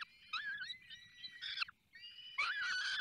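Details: Falcon nest in the Barycz Valley at feeding time: shrill, harmonic, wavering cries come in short bursts, ending with a loud, rough scream.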